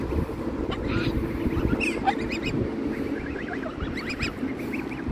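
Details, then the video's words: Large gathering of geese leaving the water in search of food; several short, nasal honks rise above steady low background noise from the moving flock. "The geese complain"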